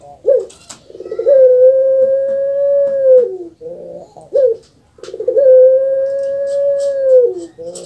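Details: Caged puter pelung dove kept in Indonesia delivers two long phrases, each opening with a short rough gurgle before a sustained, level, hooting tone of about two seconds that sags downward at the close. Brief clucky notes fall between them.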